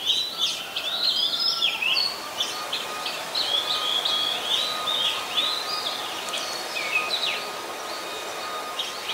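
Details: Singing Oriental magpie-robin, resident bird recorded 26 December 2020 in Ubon Ratchathani, Thailand; a rich stream of rapid whistled and slurred notes, rising and falling, fading toward the end, with a constant low hum.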